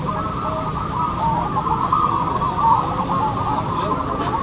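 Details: A singing contest of local zebra doves, many birds cooing at once, a few brighter coo notes rising above the crowded, constant chorus.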